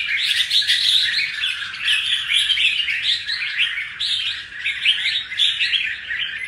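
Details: Wild-caught red-whiskered bulbul, kept caged and just out of its moult, pours out a loud, steady torrent of bright chirping whistles in pulses roughly every second.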